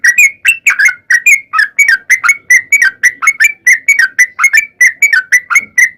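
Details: Sooty-headed bulbul, a long-phrased singer used as a lure to make other bulbuls sing: rapid bubbly whistled notes, each a quick up-and-down flourish, repeated almost continuously about three per second.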